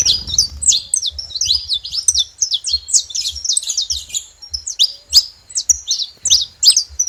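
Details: Several saffron finches together, calling as a group: a dense, continuous stream of sharp, high chirps and downslurred notes overlapping one another, with soft low thumping underneath.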